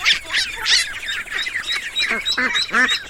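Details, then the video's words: Ducklings give a dense chorus of high, thin peeps that overlap rapidly, with a few lower, fuller peeps near the end. "The sound of ducklings"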